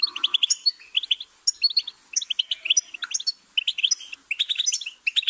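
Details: Goldfinch song: quick, tinkling run of bright chirps and twitters, closely spaced notes jumping high and low, delivered in bursts with brief gaps; no other sounds stand out.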